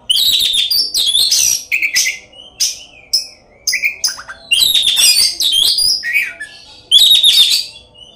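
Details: Oriental magpie-robin (kacer) in full song packed with varied fill-in phrases, tail spread, used as a lure to provoke rival magpie-robins into singing. Loud, rapid bursts of high whistles, trills and harsh chattering notes, each lasting about a second, with short pauses between them.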